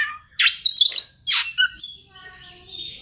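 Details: Oriental magpie-robin lure song for getting a stressed bird to sing: a few loud harsh chirps and buzzy notes early on, then faint thin tones trailing away.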